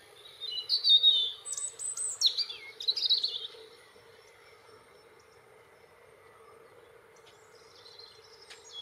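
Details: European robin (Erithacus rubecula) singing energetically: a burst of high, thin, varied warbled and trilled notes for about three seconds, sweeping up and down, then quiet with a faint steady low background hum.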